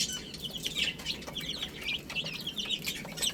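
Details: Several baby chicks eating spinach chirp continuously with bright, high, slightly rising peeps. The calls overlap in a busy stream, accompanied by light pecking taps.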